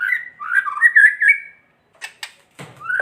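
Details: A white-rumped shama gives kretekan song to provoke other shamas: warbled whistled phrases for over a second, followed by sharp clicks and a closing upward-sliding whistle.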